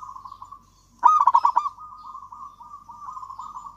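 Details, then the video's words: Local zebra dove from Java singing, recorded to lure reluctant doves into calling: one loud, rapidly stuttering coo phrase near the start, set against a continuous quieter, even trill of cooing notes. "perkutut lokal gacor kutut lokal gacor ampuh untuk pancingan kutut malas bunyi dan macet"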